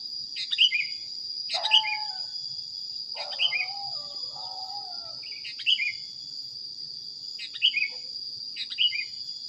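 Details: Sooty-headed bulbul training recording with repeated sharp descending chirp phrases, interspersed with lower, harsher chattering notes, all over a steady shrill background tone.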